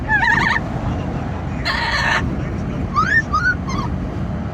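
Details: Amazon parrot kept as a pet, noisy while riding in a car: a wavering squawk, a long harsh screech, then short rising whistles and chatter, all against loud rushing wind.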